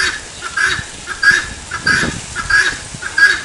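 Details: Helmeted guineafowl repeating the 'tô fraco' call: grating, raspy notes in quick succession, about five calls in a few seconds, over a faint low background rumble.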